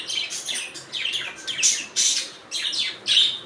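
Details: Budgerigar chatter: rapid, raspy high chirps, some rising and falling, broken into bursts roughly every half second, with no other clear sounds.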